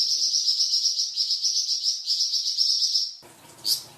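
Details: Flamboyan bird's varied song, a tutor recording for cucak ijo and magpie robin: a pulsing, high trill lasting about three seconds, followed by a brief noisy rustle and one high note.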